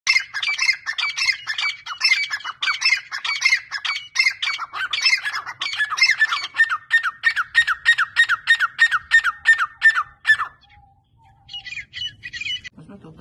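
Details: Captive partridges (teetar) kept for breeding give harsh, squawking calls repeated rapidly, roughly three per second, for about ten seconds, then stop; a few higher chirps follow near the end.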